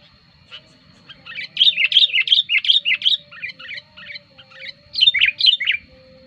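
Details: Lure recording of a sooty-headed bulbul, lively when wild birds approach: a rapid run of chirpy, bubbling notes, rising and falling, about three per second, over a faint low hum and a thin steady tone.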